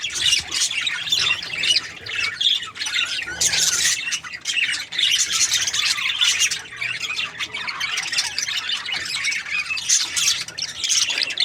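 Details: Several budgies chatter continuously, with busy, high-pitched chirps, squeaks and rasping warbles layered over one another and a few louder squawky surges, including one near the middle. A soft low background hum is present throughout.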